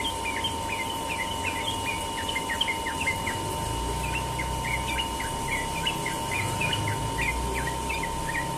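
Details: Morning ropel song of a Sooty-headed bulbul: a fast, continuous run of short liquid whistles, partly masked by low rumbling background noise and a steady hum.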